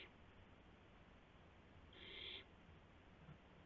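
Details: Single drawn-out raspy hiss lasting about half a second from an owl at night, April 7 2016 around 12:25 AM, during a gopher delivery, with low background noise.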